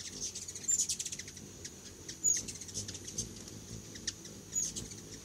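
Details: Hummingbirds feeding at a feeder on homemade food give quick strings of high, dry chips, followed by short squeaky chitters about every two seconds over a faint steady high tone.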